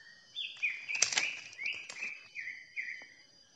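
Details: Greater green leafbirds in forest at Sungai Bungo, Rokan Hulu, Riau: a decoy bird gives clear, slurred whistles, rising then level, in half-second phrases with sharp chips, calling and contesting with a wild bird several hundred metres away.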